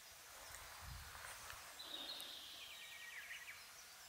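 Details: Red-flanked bluetail (Tarsiger cyanurus) summer song in subalpine zone such as Mount Fuji: one short phrase, a clear high whistle sliding downward into a quick stuttering trill, over steady background hiss.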